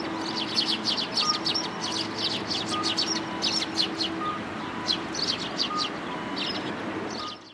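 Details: Sparrows gathering for food at a Tenmangu shrine in late January 2022 chirp busily in rapid, irregular clusters of bright, high notes, over a constant low drone and a soft beep repeating about every one and a half seconds.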